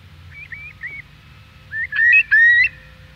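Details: A Eurasian curlew on the Isle of Man, UK, gives loud, rising whistled calls, two in quick succession, with fainter distant waders calling first and a distant bell-buoy in a low steady background hum.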